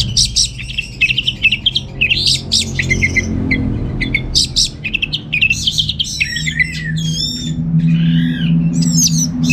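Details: Orange-headed thrush from Singaraja, North Bali, recorded at home as a lure and tutor song; busy scratchy chattering bursts give way to looping whistled slurs and rising-falling notes, with low traffic-like rumble underneath.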